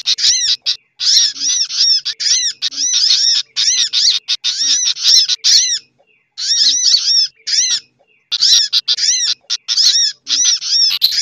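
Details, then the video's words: Lively sunbird lure combination with other bird lure calls: long sequence of quick, arched, ringing chirps in bursts of one to two seconds, separated by brief pauses. "Suara Pikat Burung Sogok Ontong Ribut Kombinasi"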